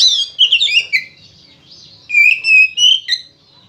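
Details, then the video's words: Oriental magpie-robin singing vigorously in fighting style as a lure for other magpie-robins: a quick cascade of descending chirps, a pause, then loud, rich, fluty whistles repeated in a short phrase. "SUARA BURUNG KACER GACOR NGEPLONG NARUNG ini ampuh buat PANCINGAN KACER AGAR BUNYI"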